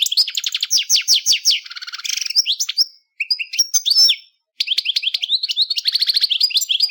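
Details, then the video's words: European goldfinch, a small colourful bird common as a pet or in breeding, pours out rapid bright twitters and a dry buzzy passage, with two short silent gaps between bursts of lively melodic trilling. "SONIDO real de JILGUERO"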